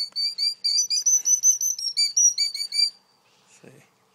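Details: Two killdeer alarmed at a person near their nest, one feigning injury to lure the intruder away, give shrill, piercing alarm notes in a rapid run of about six per second for three seconds, followed by a faint low thump.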